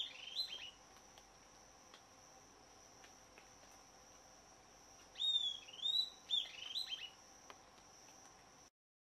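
Southern Antpipit giving a short burst of sharp, high, slurred whistled notes after a single brief note, over a steady high insect drone.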